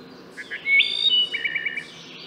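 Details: Wood thrush, Hylocichla mustelina, in song: a couple of soft lead-in notes, a bright rising whistle, then a quick series of fluty repeated notes and a thin high trill fading away.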